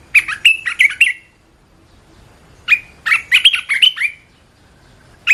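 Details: Red-whiskered bulbul, a caged songbird, singing a training song: a quick phrase of four bubbly notes, a silent gap, then a longer rapid phrase of bright, slurred whistles, ending with a new note starting.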